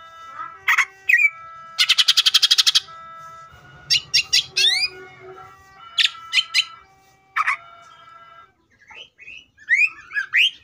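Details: Energetic greater green leafbird song meant to trigger other leafbirds to sing: varied sharp chips, a fast rattling burst, clusters of rising notes and twisting warbled phrases over a steady faint tonal hum.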